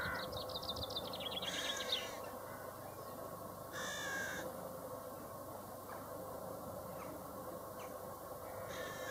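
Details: Common chaffinch song: a quick descending series of bright notes ending in a short flourish, followed by a second brief burst, set against steady hissing background noise and a constant hum.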